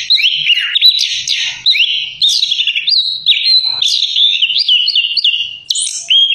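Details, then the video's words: Orange-headed thrush sings a rich, continuous run of varied whistles and trills, sliding and warbling between middle and high pitches without pause. "Simak Irama Lagunya Anis Kembang"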